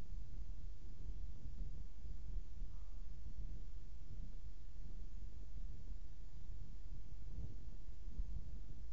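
Steady low wind rumble and muffled background noise throughout, without any distinct animal call.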